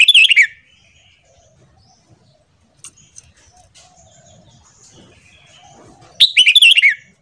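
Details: Red-whiskered bulbul singing in the morning, recorded for training other birds: short, loud warbled whistle phrases at the start and end, descending and trilled, with a quiet gap and a few faint clicks between.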